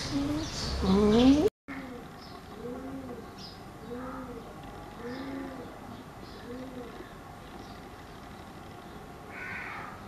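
A dove gives a series of soft, low, rounded coos, about one each second. A brief loud rising voice comes just before.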